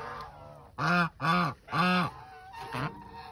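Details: Goose brooding eggs gives three loud, nasal honks in quick succession, each with a rich, harmonic tone and about half a second long. A softer, shorter honk follows after a pause, with low background hum.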